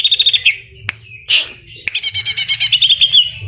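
Greater green leafbird singing a loud, high song of rapid repeated notes, a sharp burst and slurred whistle, then a fast bubbling chatter that mimics other birds.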